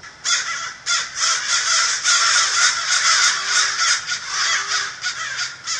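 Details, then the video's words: Harsh cawing of an American crow, many rough caws running close together in a loud, continuous stream that keeps going to the end. "american crow"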